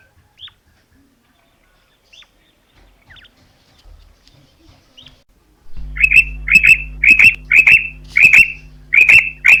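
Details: Calling female common quail: a few faint, scattered chirps at first, then a loud burst of quick paired notes repeated about twice a second, over a steady low hum.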